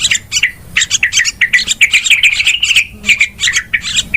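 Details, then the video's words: Noisy yellow-vented bulbul calls played to attract birds for trapping: fast, irregular chatter of sharp chirps and rolling bubbly notes, roughly two or three per second. "SUARA PIKAT TRUCUKAN RIBUT PALING AMPUH"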